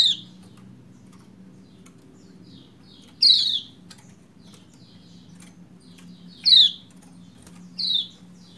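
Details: Lombok white-eye hen calling to prompt a reluctant male into song: four scratchy, descending 'ciak' chirps spaced roughly two to three seconds apart, over steady low humming noise.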